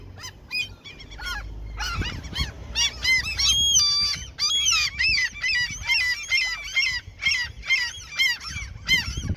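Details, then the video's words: A crowd of gulls given food near where someone fishes erupts in loud, overlapping yelping cries and drawn-out squeals, a dense nonstop chorus with a brief held whistle-like note in the middle. "Attacking Seagulls given food as peace offering"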